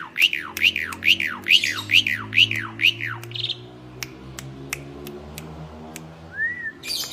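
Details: Gacor mompa calling of a kept Asian pied starling: seven strong, clear notes, each sliding downward, about every half second. Quiet follows with isolated sharp clicks and a brief rising note.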